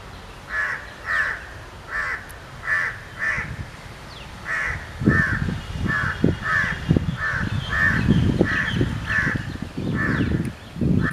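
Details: Repeated ringing calls of a Grey francolin, some fifteen evenly spaced harsh notes over eleven seconds, accompanied by heavy low-pitched rumbling and thuds in the second half.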